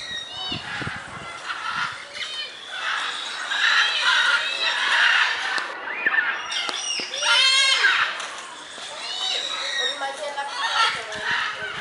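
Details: Turquoise-fronted amazon (Amazona aestiva) kept at a zoo, giving loud, harsh, screechy squawks in arched bursts at an irregular pace, densest midway through, with people's voices and crowd noise mixed in.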